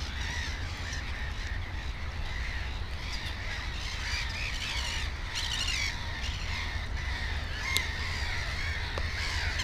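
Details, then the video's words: Black-headed gull colony around a nest with two chicks: dense, continuous chorus of harsh squawks and screeches overlapping throughout, with a low rumbling background. "Озерная чайка"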